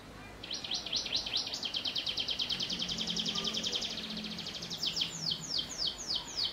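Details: Canary in energetic song with prenjak-style phrasing: a long rapid rolling trill that shifts into a series of distinct high downslurred notes, heard over steady low hiss.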